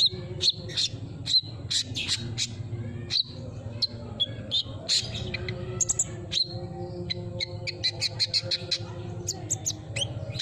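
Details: Sunbird song played as a lure for a bird that has gone quiet: quick high chirps, sharp ticks and thin whistled notes, densest near the end, over steady low background hum.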